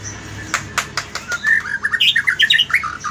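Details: White-rumped shama singing in the morning: several sharp clicking snaps followed by a quick series of short whistled and chirping notes, rising and falling, with fluttery wing-like sounds early on.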